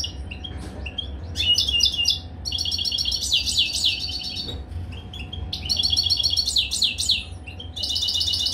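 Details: European goldfinch in a cage at mating time sings tinkling, high twittering phrases, rapid chirps and sweeping notes running in bursts of one to two seconds, separated by brief gaps.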